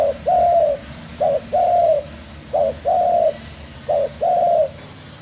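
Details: Spotted dove cooing: a short rising note followed by a longer steady hooted coo, the pair repeated four times at even intervals of about 1.3 seconds, over a low background hum.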